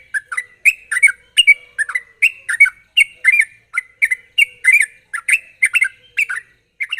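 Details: Sooty-headed bulbul singing energetically in sharp ropel style to lure other bulbuls to sing. A steady, unbroken stream of chirpy, bubbling whistles runs through the whole stretch at a brisk, slightly uneven pace.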